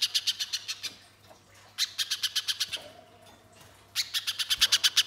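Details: Spiderhunter in full, active song, used as a lure to get other birds singing straight away: fast series of sharp, high chips, about eight per burst, in three bursts split by short pauses, with a steady low hum behind.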